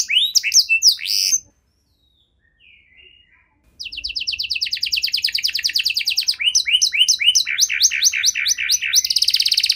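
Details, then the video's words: Long canary song intended to coax silent canaries into song: sweeping notes, a pause with faint sounds, then fast trills shifting into repeated double-note phrases. "Kenari Gacor Durasi Panjang Cengkok Istimewa! Efektif Buat Memancing Kenari Macet Biar Gacor Kembali"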